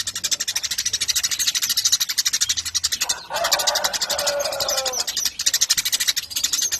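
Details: Eurasian tree sparrow singing briskly as a model for contest birds: quick, high chirps in steady runs, broken midway by a lower, fuller warbling phrase before the chirping resumes.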